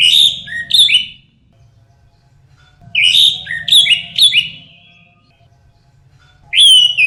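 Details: Orange-headed thrush song in repeated groups of two to four bright, slurred whistled phrases, separated by pauses of about one and a half seconds.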